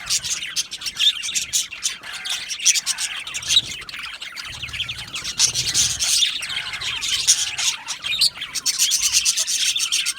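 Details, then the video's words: Budgie colony in an aviary chirping happily: many overlapping high, scratchy twitters and squawks form an unbroken wash of bird chatter, with occasional low rumbling thuds. "Happy Budgies Sounds | Budgies Chirping Sounds | happy Budgie sounds for lonely Budgie birds"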